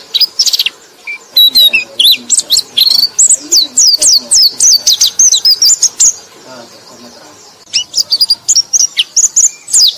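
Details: White-eye song used as a lure for other white-eyes, from Indonesia: rapid high chattering twitters and quick rising-falling whistled notes in dense bursts, a brief pause near seven seconds, then more fast sharp chirps.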